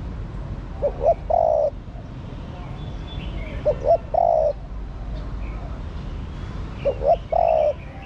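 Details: Female spotted dove calling to stimulate the male: three low cooing phrases, each two short hooting notes and then a long, steady, slightly falling coo, about every three seconds, with faint chirps of other birds behind.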